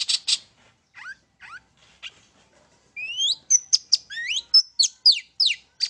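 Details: Long-tailed shrike lure song for provoking birds: two harsh opening notes, a few soft rising slurs, then a lively series of clear whistled upslurs and sharp downslurred notes.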